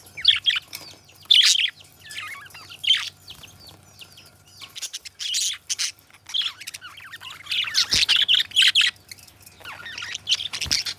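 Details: Budgerigars, kept as pets, sing a loose, intermittent warble of squeaky chirps and scratchy notes, with quiet stretches, soft rustles and a couple of low thumps.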